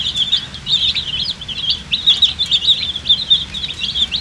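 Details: Colour-dyed baby chickens, a crowd of poultry chicks chirping from thirst for drinking water; dense, shrill, high peeps overlap continuously with no gaps, each short note sliding up or down.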